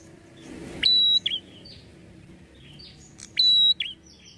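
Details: Red-headed prinia call, played to rouse prinias into replying quickly: twice a piercing, level high whistle opens with a sharp click and ends in a brief buzzy flourish, separated by about two and a half seconds of softer chips.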